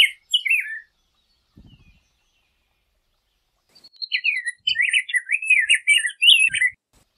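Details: Song of a rose-breasted grosbeak, one short warbled phrase at the start, a long quiet stretch with a few low thumps, then a fast, burry string of rising and falling whistled notes.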